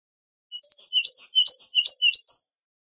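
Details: Great tit, a familiar garden bird, singing a short bright phrase of high, sharp chirped notes that sound like metal being struck, about two seconds long, with no other sounds.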